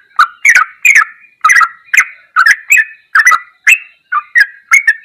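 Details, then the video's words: Tutor recording of sooty-headed bulbul ropelan goklikan song: lively, gurgling note clusters in rapid succession, some doubled, with brief breaks between groups. "MASTERAN TRUCUKAN TERBAIK || ROPELAN GOKLIKAN TOP"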